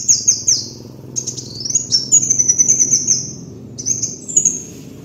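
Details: Kolibri wulung sunbird on a lure (pikat) master recording: very high, thin twittering trills in several bursts, some phrases sliding downward, others gliding upward into long sweeping trills, over a faint low hum.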